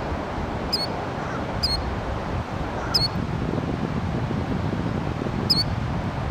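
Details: A killdeer on a trail gives four shrill, high notes spaced one to two seconds apart over a steady low rumble of wind or distant traffic.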